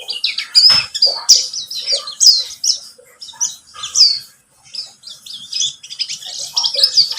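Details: High, chattering twitter from a buxtomi white-eye, played as a lure to trigger singing; dense trills and sharp chirps run in waves, with a short quiet gap midway.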